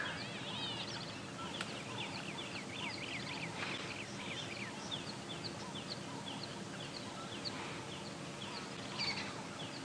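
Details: Several Hadeda Ibises at sunrise, about 7 AM on 26 October 2016 at Djuma Game Reserve, near lions feeding on a carcass, give loud, harsh, nasal honking calls in overlapping bursts over a steady rumble with a faint human voice.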